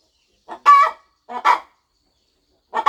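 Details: Brooding mother hen on her farm nest before her eggs hatch, uttering a few drawn-out, nasal clucks, each preceded by a softer lead-in note, then quiet.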